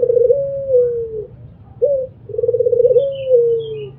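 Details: Albino Barbary dove cooing: low, purring rolled coos that slide gently downward, with a short upward note between two long phrases; faint chirps of another bird in the background.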